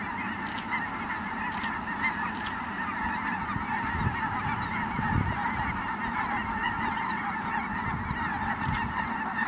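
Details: At Merced National Wildlife Refuge on 22 December 2017, arriving Ross's geese produce a constant, dense babble of high honks, with a low rumble swelling near the middle.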